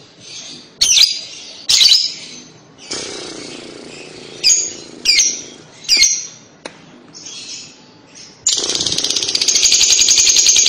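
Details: Lovebird chatter, a ngekek-style sound used to coax young lovebirds into singing: several sharp separated chirps, then a long rapid high buzzing trill running to the end.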